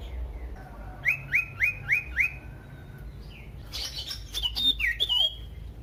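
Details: Common iora song used to provoke other ioras to sing: a run of five quick, repeated upslurred notes, then a burst of varied, sharper chirps and whistles.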